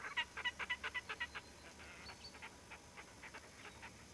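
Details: A pair of Red-necked Grebes at Sotkanniemi on 6 May 2010, calling during courtship display: a quick series of harsh, nasal notes, about four a second, loud at first and then fading into softer repeats.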